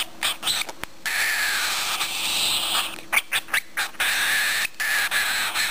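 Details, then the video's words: A one-month-old pet cockatiel cries from hunger, begging for a meal with a harsh, wheezy rasp held in long breathy bursts broken by short pauses and a few clicks. "Imbecco di un Calopsite affamato"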